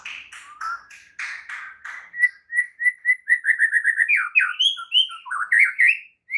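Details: White-rumped shama morning training song meant to make silent shamas sing vigorously: a run of clear whistled notes near one pitch, then a fast series of short repeated chirps and rising and falling slurred phrases.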